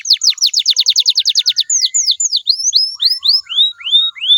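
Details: Canary song for prompting other canaries to sing along. A rapid string of descending whistled notes slows into looser, rising-and-falling slurred whistles spaced further apart.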